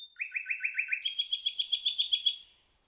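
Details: A Common Nightingale sings in the Rawka river valley, Poland: a thin whistle, a quick run of about seven mid-pitched notes, then a louder, faster rattle of high, buzzy notes, with no other sounds.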